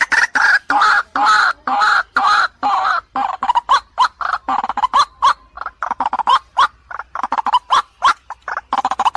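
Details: Female white-breasted waterhen calling to a male, played as a lure: loud, harsh, clipped croaking notes repeated rapidly and continuously in dense bursts, several per second.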